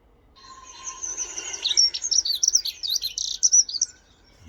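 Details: A dunnock sings a fast, even, high warble of squeaky notes for about three seconds, steadier than a wren's song, in a British garden; a faint lower steady tone at the start, possibly a buzzard in the background.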